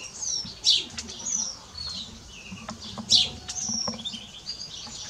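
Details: House sparrow chirping: two loud, sharp downward chirps about two and a half seconds apart, with fainter high twitters, scattered clicks and a low steady hum beneath.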